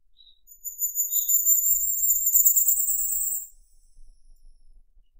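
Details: Firecrest singing. Two short soft notes lead into a very high, thin, fast-repeated trill of about three seconds that rises slightly in pitch, then silence.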